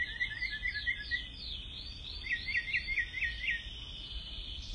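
A mockingbird sings quick, varied chirped phrases, then a fast run of about five sharp repeated notes, over a low steady background rumble.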